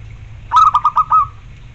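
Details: Zebra dove (perkutut), a kept bird, giving one short phrase of about five rapid staccato cooing notes ending in a slightly longer held note, over a low steady hum.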